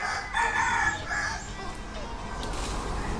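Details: Red junglefowl among young hens dust-bathing contentedly in soil; harmonic, crow-like phrase with strained, buzzy syllables rising and holding briefly, then a short second note, over steady background hiss.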